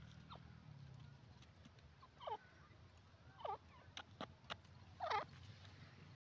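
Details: Dakni desi teetar, a francolin, giving three looping, wavering call notes spaced about a second apart, mixed with sharp clicks and knocks, over a low humming background.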